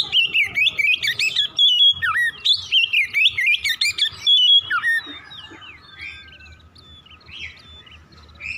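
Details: ["Oriental magpie-robin's morning song, played to make other birds sing quickly and continuously: a dense run of loud warbling, fluted whistles that swoop up and down for five seconds, fading into quiet distant chirps."]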